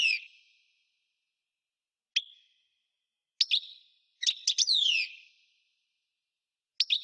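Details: Singing European goldfinch giving scattered sharp chips, then a cluster of rapid twittering notes closing with a falling drawn-out slur; quiet gaps between phrases.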